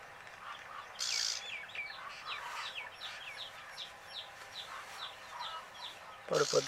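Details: Several sleepy chicks trill thin descending peeps in a steady overlapping stream. A short rustling burst comes early, and a louder scuffle or knock is heard at the end.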